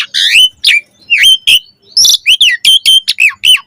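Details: Asian pied starling song used as a master recording for training caged birds, with varied content: harsh squawky bursts mixed with sharp whistled notes that drop or bend, delivered in quick irregular phrases with brief pauses.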